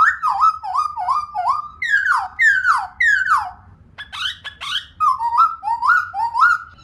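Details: A female black-throated laughingthrush kept as a pet sings a rapid series of swooping whistles that rise and fall. The series is broken briefly by sharper high notes before the swoops resume.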